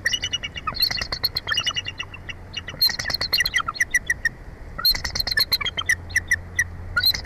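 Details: Bald eagle pair at their nest in a Jeffrey pine, Big Bear Valley, San Bernardino Mountains, Southern California; repeated runs of high, squeaky piping notes in quick series, several bouts back to back, with low background rumble.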